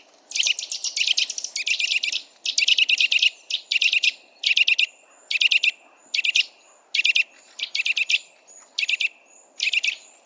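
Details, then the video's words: Eurasian nuthatch (Sitta europaea) recorded in the wild, giving loud piping calls in short, rapid bursts of sharp, high notes about once a second, over a faint steady background hum. "Eurasian Nuthatch Sound – Song & Bird Calls"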